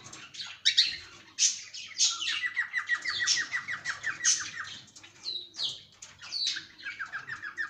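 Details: Cockatiel kept in a cage, chirping in rapid trains of short, evenly spaced notes that form ticking series, broken by sharp higher squeaks and brief pauses.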